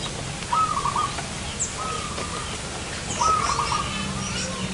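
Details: Zebra dove being lured near a house for trapping, uttering two stuttering, rolling coo phrases with a fainter drawn-out coo between them, over constant background noise.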